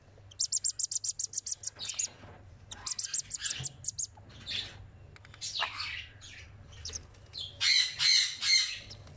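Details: A 10-day-old sun conure chick gives rapid, high, scratchy chirps while begging and being fed.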